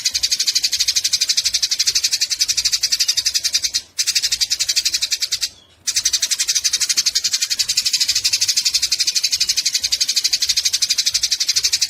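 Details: A long burst of Eurasian tree sparrow fighting chatter: a relentless stream of shrill, rasping chirps at about four per second, broken by two brief dropouts near four and six seconds; used as a songbird tutor recording.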